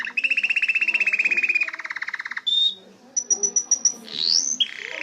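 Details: Singing canary delivering a buzzy rolling trill that drops to a lower rattle, then a short clear whistle, a burst of very high rapid pips, and an upward sweep into a final roll.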